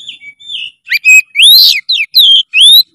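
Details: Oriental magpie-robin in vigorous, emotional song: a drawn-out whistled note, then quick loud upslurred and downslurred whistles in rapid succession, each phrase sharply separated by short gaps.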